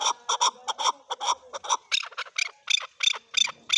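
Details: Male chukar calling: a loud, fast series of harsh clucking notes, about three per second, uneven in spacing, some paired and some single, growing sharper and higher toward the end.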